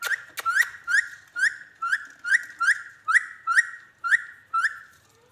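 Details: Talking ringneck parrot repeats the same short harmonic phrase about twice a second, each a quick rising hooked syllable, eleven times in a steady series, indoors with no other sounds.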